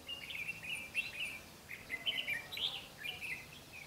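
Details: Red-whiskered bulbul heard while trapping wild birds, 12 August 2016. A continuous stream of high, twittering, warbled notes with quick ups and downs, almost without a break.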